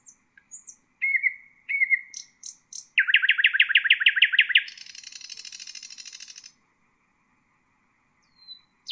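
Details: Nightingale song intended for training bulbuls and songbirds: scattered high notes and two slurred whistles, then a loud fast chattering trill of about twenty pulses turning into a long buzzy rattle, then silence.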